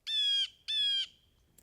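A Blue Jay gives two harsh, nasal, slightly falling "jay" screams, each under half a second long and a short pause apart, against a quiet background.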